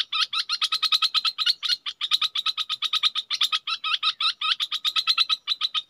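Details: Red-whiskered bulbul, a caged decoy bird, calling: a rapid, steady run of sharp chirping notes, about six per second, with a few hooked double notes mixed in. Nothing else is heard.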